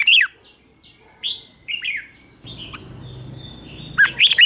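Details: Red-whiskered bulbul singing in the morning to train other bulbuls: scattered loud, bending chirps and short whistled notes, then a fresh burst of rapid warbling at the end over low background noise.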